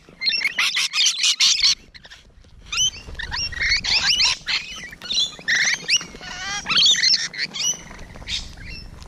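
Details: Rainbow Lorikeets close by on a June 2017 morning give loud grating screeches and busy chattering, several birds calling in overlapping bursts with a short quiet spell early on.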